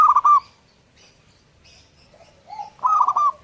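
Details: A vigorously singing zebra dove gives a stuttering rolling coo at the start, a pause with faint murmurs, then a low coo leading into another burst of rapid tonal notes ending in a downslur.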